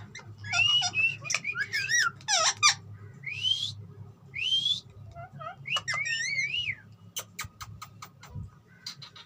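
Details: Green ringneck parrot, presented as a talking bird, gives looping whistles, clear rising whistled notes and wavy squeals, ending with a series of sharp clicks. A background hum is present.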